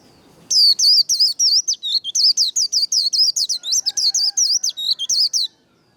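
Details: White-eye líu đấu song for firing up trainee birds: about five seconds of quick, high, twisting whistles in even succession, briefly joined near the end by a faint, lower steady tone.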